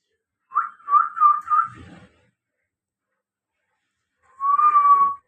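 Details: ['Captive talking Common Hill Myna whistling in a room while its owner talks: a run of four short warbled notes with a low rumble underneath, silence, then one long, level whistle.']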